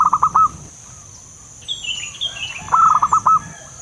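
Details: Wild local zebra dove lure call: a rapid stuttered cooing phrase, a pause with other birds' descending whistles, then the cooing phrase again, all over a high insect drone.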